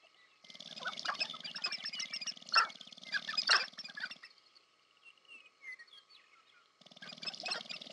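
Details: Sharp-tailed grouse displaying during courtship on the prairie at the American Prairie Reserve, Montana, USA: a long buzzing rattle with loud clucking notes for nearly four seconds, a pause with thin whistles from other birds, then rattling again.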